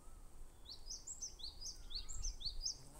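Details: Bar-tailed (Himalayan) Treecreeper (Certhia himalayana) giving a thin, very high series of short slurred notes, about three a second, over a low rumble of background noise.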